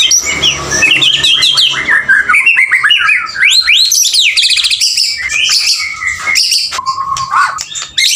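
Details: Male White-rumped shama singing vigorously: a rich, nonstop stream of varied whistles, rapid rattles and sweeping slurs, loud throughout, with a short lower whistled phrase near the end.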